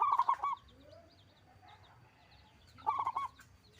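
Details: Local zebra dove with a big voice singing: two rolling, bubbling coo phrases about three seconds apart, with faint high chirps of other birds and a low background hum.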